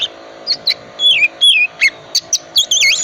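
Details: Oriental magpie-robin, a cold-tempered type, singing filler-rich phrases meant to prompt other magpie-robins to sing: clear high whistles bending down and up at uneven intervals over a steady low electrical hum.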